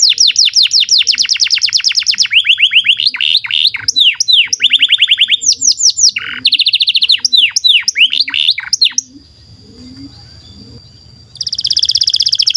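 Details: Long canary song, played to teach young canaries and restart silent ones: rapid high rattle, then varied falling whistles and trills in changing tours, a quiet stretch with faint low rumble and a steady thin tone, then a dense trill again.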